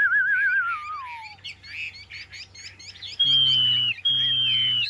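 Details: Caged Chinese hwamei kept as a songbird, the bird on the right of the frame: a wavering, trilled whistle that slides downward, then rich varied phrases, ending in long, steady high whistled notes over a low hum.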